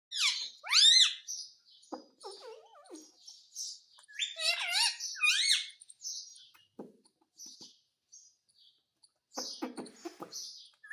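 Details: Pet parrot indoors, said to be talking in Hindi: sharp rising and falling harmonic squawks near one second and four to five seconds, with softer chirps and short clicks between them and a final burst near ten seconds.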